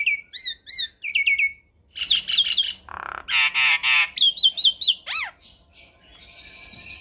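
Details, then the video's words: Javan myna in full song, a tame bird whose voice serves as a tutor for young mynas: repeated slurred whistles, a nasal buzz, loud harsh squawks, then a long descending whistle and a soft hiss. "Suara Khas Jalak Kebo Makun Gacor Sangat Cocok di Putarkan Ke Jalak Kebo Muda Untuk Masteran"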